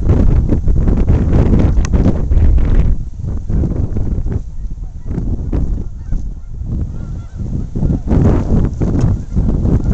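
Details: On a very windy day by the Saskatchewan River in Saskatoon, Canada geese give irregular honks, several per second at times, faint against buffeting wind gusts recorded on a camcorder.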